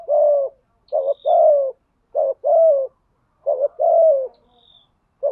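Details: Lure spotted dove calling to stir up wild doves, giving three cooing phrases roughly every one and a half seconds. Each phrase is a short broken note, then a drawn-out mellow coo. A faint thin whistle sounds in the background.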